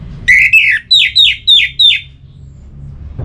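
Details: Orange-headed thrush giving a string of six clear slurred whistles, each sliding downward, delivered evenly in under two seconds; a sound used to spur birds into singing.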